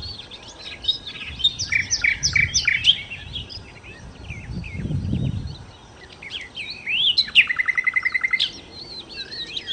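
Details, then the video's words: Nightingale, known locally as sikatan londo, in varied song: tumbling high warbles and sweeps, a quieter pause with low rumble, then a rapid buzzy trill on one pitch. "kicau Sikata Londo( Nightingale Birds )-Kicau Burung"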